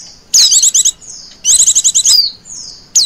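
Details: Female Oriental white-eye lure call of the 'ngecir' type: two quick, high-pitched chattering bursts beginning with a swooping downward note, then a fading whistle, and a short final chip.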